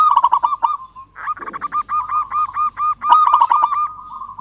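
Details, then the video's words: Zebra dove of local Indonesian stock, in full voice and calling out to a rival, delivers a continuous rolling coo. Fast arched notes repeat several times a second in a steady, rattling stream. "Perkutut Lokal GACOR Suara Ampuh MEMANGGIL Lawan Langsung BUNYI Emosi MANGGUNGG"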